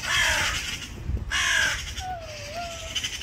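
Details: Magpie calling: harsh, noisy chattering bursts with a short whistled tonal note near the end, over a low background rumble.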